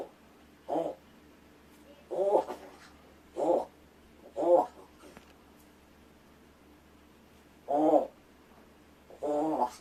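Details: Pet rescued large-billed crow practising its voice and trying out words such as good morning and food while its owner pretends to sleep: six short, rough, throaty calls, some doubled, spaced irregularly over ten seconds in a quiet room.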